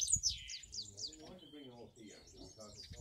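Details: One of three yearling cock finch mules sings a quick burst of high, sweeping twittered notes for about a second, then a person's voice murmurs underneath.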